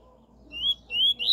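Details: Double-collared seedeater giving the 'tui tui' song style, meant for training a young bird. Three clear, rising whistled notes, each sliding upward and growing louder, with brief gaps between them.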